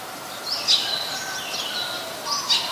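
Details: Resident Eurasian tree sparrow, Ubon Ratchathani, Thailand, May 10, 2020: two loud, sharp high chips about two seconds apart, each sliding downward, with softer chirping between them and faint background birds.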